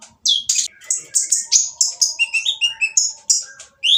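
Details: Harsh-voiced oriental magpie-robin singing to stir silent magpie-robins into song: loud scratchy bursts followed by a quick series of high whistled and descending notes, delivered rapidly and continuously.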